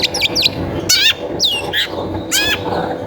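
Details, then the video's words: Clear long-tailed shrike lure song for prompting other shrikes: a few high looping whistles, two short harsh rasping bursts and a downslurred note, all against a soft low hum. "Suara Pancingan Cendet Gacor"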